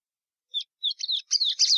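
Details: Brief fragment from a plumbeous seedeater, Sporophila plumbea: a few separate chirps building into a dense buzzy twitter at the end.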